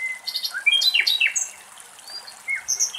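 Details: Common nightingale in Greece, recorded at very close range, sings quick, varied phrases of high whistles, sharp downslurred notes and chirps, with pauses between bursts. Other birds seem to be singing too.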